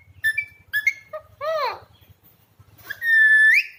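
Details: Alexandrine parakeet known for talking: a few quick whistled chirps, then a wavering, voice-like phrase with curved tones, a pause, and a long, level whistle that sweeps upward at the end.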